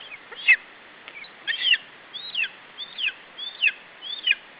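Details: Lesser spotted eagle nestling in Estonia protecting its meal from a parent, July 2012: a series of six loud, shrill whistled yelps, each bending downward, spaced roughly two thirds of a second apart.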